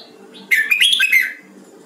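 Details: Captive red-whiskered bulbul in song training gives one quick, bright phrase of liquid whistled notes lasting under a second, over a faint low hum.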